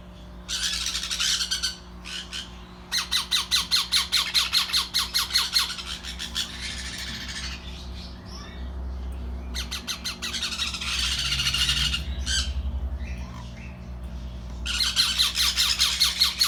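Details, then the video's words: Sun conure chicks learning to eat give harsh, rhythmic squawk trains of rapid pulses several times over. Softer rustling fills the gaps, and a low thumping is heard near the middle. "Our sun conures babies starting eating"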